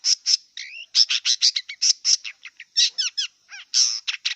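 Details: A wild long-tailed shrike sings a rapid, scratchy series of harsh chattering notes mixed with quick whistled slurs and falling chirps, steady and almost unbroken.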